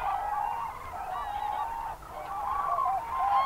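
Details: Evening flock of common cranes on a field at Trandansen, Sweden, with greylag geese chasing them; a steady mass of trumpeting calls, some rising and wavering, overlapping with honks throughout.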